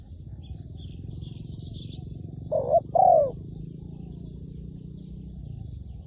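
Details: Spotted dove kept as a decoy bird for trapping, giving one low two-part coo, a short hooked note then a longer falling one, over steady low rumble and faint high chirps from other birds.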